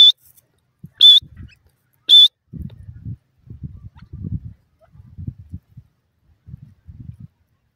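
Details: Young wild francolin chicks in the forest give three clear, high, level peeps at the start, followed by bursts of soft low scratching and rustling.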